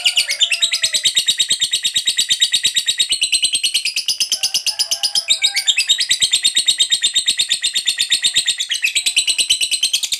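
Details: Extended ngekek panjang of a fighter lovebird, intended to provoke other lovebirds: an unbroken ten-second rattle of shrill, rasping notes, rapid and regular, with brief shifts in pitch.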